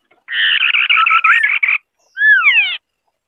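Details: A White-browed scimitar babbler sings. Dense, scratchy chatter runs under a brief rising whistle, then a pause gives way to a loud, ringing down-slurred whistle.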